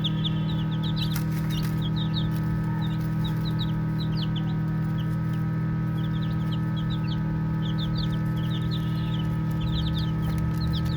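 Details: Baby chicks playing keep up a lively chorus of thin, high, brief peeps, bunched into quick irregular bursts with short pauses, over an unbroken low humming background.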